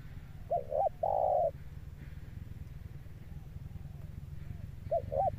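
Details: Spotted dove male with a thunder-toned coo: two quick rising-falling hoots and one long flat note, then near silence before two more brief hoots, over a continuous low drone.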